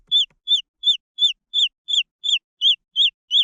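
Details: Young green junglefowl chicks giving loud, high downward-curving peeps in a steady series, roughly three notes a second.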